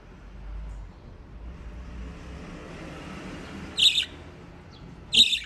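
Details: Pet budgies in Japan enjoying water play; low steady hum for several seconds, then two sharp, bright chirps near the end.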